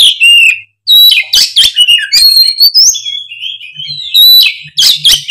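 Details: Oriental magpie-robin singing loudly and nonstop as a lure for an off-form speckled bird; clear whistled notes mixed with harsh chatters and long pure tones, delivered almost without pause.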